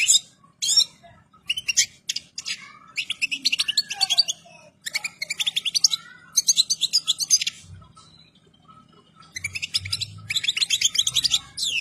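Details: European goldfinch in full breeding condition and complete plumage, singing in bursts of rapid, high, tinkling twitters and trills separated by short pauses, with a faint low hum beneath.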